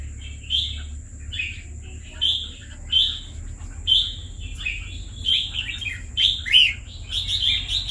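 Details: A caged red-whiskered bulbul, two years in captivity, repeats short clear whistled phrases roughly every second, each a quick bright note pair, ending in a faster run; faint low hum beneath.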